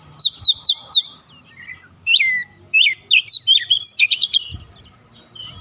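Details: An untrained oriental magpie-robin quickly breaking into energetic song: four evenly spaced sharp notes, then a dense stream of varied slurred whistles and buzzy chirps, with a low thump near the end.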